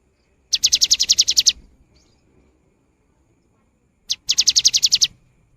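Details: Cinereous tit in full song, the kind played to prompt silent birds to start singing: two bursts of about ten rapid, evenly spaced high sharp notes, each burst lasting about a second, separated by a pause of roughly two and a half seconds.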